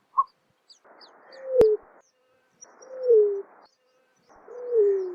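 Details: Greater roadrunner calling: low, falling coos, each sliding downward and fading, repeated about every one and a half seconds over a steady hiss, with a short high chirp at the start and one sharp click.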